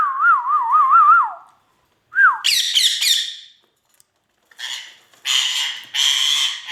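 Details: Male Indian ringneck parakeet: a wavering, warbling whistle slides up and down, then a short falling whistle, followed by bursts of harsh, raspy squawks.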